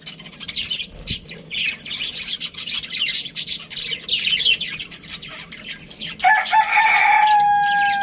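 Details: Budgie chirping: busy high warbling chatter of rapid squeaks and scratchy notes, with a steady pure tone and louder hum entering over the last two seconds.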